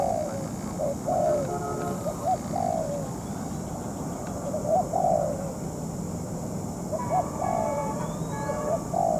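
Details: Moulting spotted dove decoy at a trapping site, matched against a wild bird for over two hours; clusters of low coos with pauses, plus faint higher chirping from other birds.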